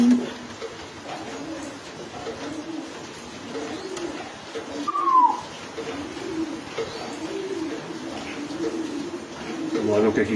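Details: Racing pigeons in a loft murmur low, soft coos almost continuously, with one brief, higher falling note midway, with faint background voices.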